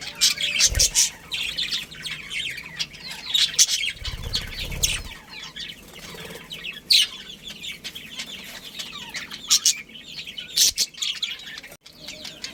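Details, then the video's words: Budgerigar colony with a breeding pair, kept birds, giving dense high warbling chatter of overlapping chirps and twitters, with bursts of wing flapping and low thumps between them. "Cute Budgies Chirping Sounds"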